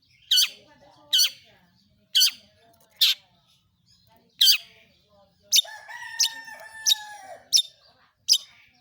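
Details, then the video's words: Long-tailed shrike (pentet, cendet), a lure to make other shrikes sing: sharp high downslurred notes, then a rattling run over lower steady whistled tones, then more sharp notes. "pentet PASTOL gacor || toet toet sambung materi || pancingan burung cendet paling ampuh"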